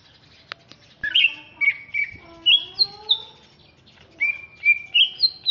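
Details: Greater green leafbird from Alas Purwo, Banyuwangi, East Java, described as larger and fierce-looking, sings a lively song of sharp, high whistled notes and slurred phrases in two bursts, with a lower sliding tone between them.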